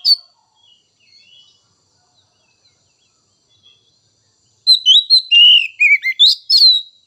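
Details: White-rumped shama (kacer) song for provoking other birds: faint scattered notes at first, then a loud rapid sequence of whistled slurs and crisp chirps of varied pitch.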